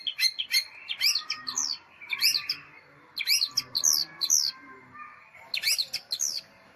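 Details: A long-tailed shrike sings nitik-style phrases: bursts of sharp, high chirps and arching whistled notes, separated by pauses of about a second.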